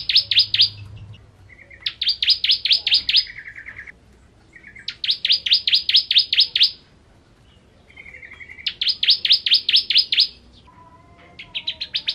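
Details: A Bar-winged prinia (Prinia familiaris) sings vigorously in fast bursts of sharp, high, rattling notes, each burst about a second and a half long, interleaved with short, lower buzzy phrases.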